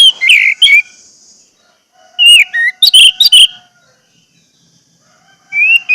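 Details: Caged-bird lure recording of Orange-headed thrush song: a rich burst of varied whistles, then a pause, then a longer phrase of bending, warbled notes and high sharp accents, and a fresh phrase starting at the end.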